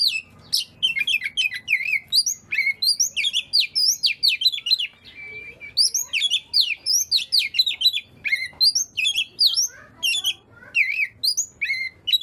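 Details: Oriental magpie-robin singing continuously, meant to set other magpie-robins singing: dense, energetic streams of bright whistles, trills and sharp slurred notes, scarcely pausing across the whole stretch.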